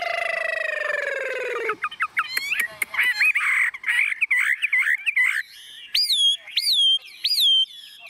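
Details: A very tame caged Chinese hwamei, unafraid of people or other birds, sings while its cage is carried by hand and shaken. It holds a long steady whistle, then gives quick varied chirps and repeated rising, slurred whistles.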